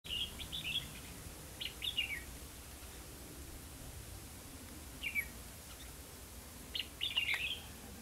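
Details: Red-whiskered bulbul during trapping at Hòa Mạc, Hà Nam, Vietnam: short bright chirpy phrases of a few quick notes, heard in three bursts separated by pauses, over a low steady background hum.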